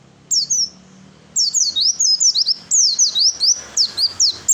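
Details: Oriental white-eye giving a fighter-style song meant to make other birds answer: rapid, very high, thin descending whistled notes strung in quick bursts, with short pauses between phrases and a faint low hum behind.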